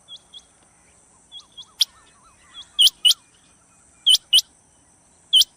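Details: Rain quail calling, recorded to lure quail for trapping: repeated sharp, high, clipped double notes, with soft wavy chirps from another small bird and faint high ticks between the pairs.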